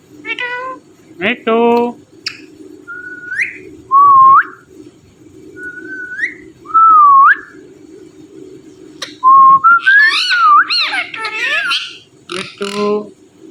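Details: Pet rose-ringed parakeet, a talking ringneck. A few harmonic chatters, then four slow whistled notes that rise or dip, spaced about two seconds apart, then a burst of harsh tangled squawks and chatter.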